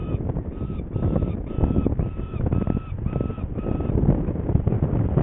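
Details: Saker falcon recorded in Hungary, 21 May 2019, late morning, as one bird goes to fetch prey; around eight ringing, slightly downward-bending calls at even spacing, with heavy low rumbling noise beneath.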